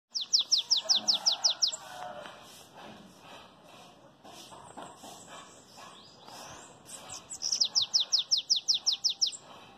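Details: Bananaquit singing in the belga chapado style: a rapid burst of about ten high, sharply down-slurred notes, a quieter murmuring stretch, then a second matching burst of bright descending notes.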